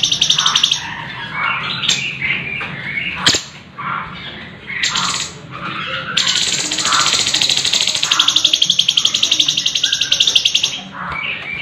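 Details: Sooty-headed bulbul (cucak cungkok) used as a song model for competition birds, one of several birds with differing material: varied chattering whistles, then a long fast rolling trill with a dense steady rhythm.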